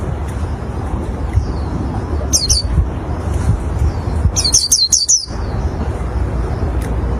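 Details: Song of an oriental white-eye, used for luring others of its kind: a short pair of high, sharp chirps, then a quick run of about five bright, thin notes, set against constant low-frequency rumble.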